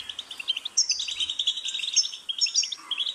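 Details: ['Energetic European goldfinch song of rapid twittering chirps interwoven with high, thin buzzing trills, rich and unbroken throughout.']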